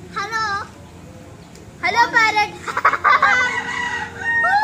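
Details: A cockatoo at a beach resort in Batam, Indonesia, gives harsh, speech-like mimicked phrases in short bursts with a rising, laugh-like cackle. A person speaks faintly in the background.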